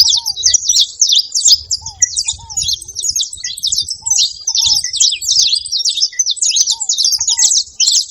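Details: A flock of saffron finches making noise together, with high, crowded chirping throughout. Lower curved whistles come in pairs every second or two, with short mid-pitched notes between them.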